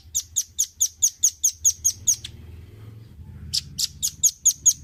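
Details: Velvet-fronted nuthatch, recorded for training caged birds, giving a long, steady run of high, sharp notes at about two per second. A short gap follows, then two harsher notes before the run resumes. Faint low hum underneath.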